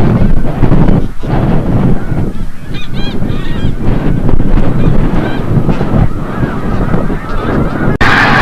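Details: Snow geese returning from the bay at sunset at Forsythe National Wildlife Refuge, Oceanville, New Jersey; a few high, nasal honks break through heavy low wind rumble, with a sharp knock near the end.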